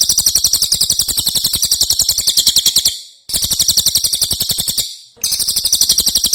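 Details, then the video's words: Ashy tailorbird in prolific song, an original recording for training other songbirds. Rapid, evenly paced high chattering notes come in three long runs, each ending with a brief silence. "Cililin Gacor"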